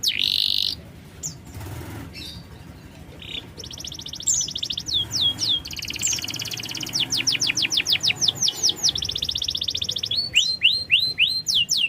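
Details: Canary song meant as a lure for a reluctant singer, starting faint and broken, then building into fast trills and rows of sharp descending whistled notes in the second half.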